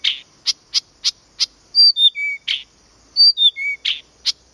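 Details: Blyth's reed warbler singing at Planta, Podlaskie, Poland: a run of short, dry chack notes followed by clear, descending whistled phrases, repeated in a slow, deliberate pattern.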